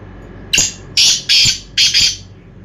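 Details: Loud, close black francolin call: a single sharp note followed by two pairs of buzzy, rasping bursts separated by a brief gap, over quiet background noise.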